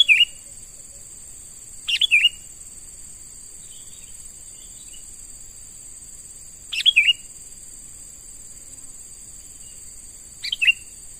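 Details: Sooty-headed bulbul, a young wild-caught bird being trained as a lure; short bright whistled phrases, a sharp high note then a lower falling whistle, repeated three to four times at uneven intervals, with constant high insect buzz behind.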